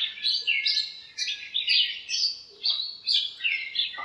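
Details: Birds in a backyard lemon tree on a cool, sunny morning, chirping and fighting; busy, high twittering bursts about every half second, with a soft lower note mixed in.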